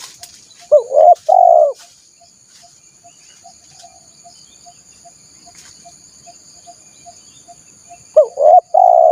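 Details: Spotted dove luring call for catching wild birds: a three-note cooing phrase at the start, then roughly six seconds of near-silence with a soft ticking insect pulse, and the phrase begins again at the end.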